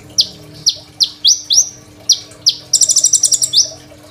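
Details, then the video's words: Energetic Crimson sunbird song, used as a training master for untrained sunbirds and recorded by phone: a string of quick rising whistled notes, then a rapid stuttering trill of about ten beats, and one more rising whistle. "KOLIBRI NINJA GACOR FULL ISIAN SUPER MEWAH, 100% COCOK BUAT MASTERAN KONIN BAHAN"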